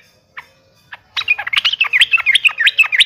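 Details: Yellow-vented bulbul in vigorous song, challenging an opponent. Two isolated notes come first, then a quick, steady run of slurred, liquid whistles, about six per second.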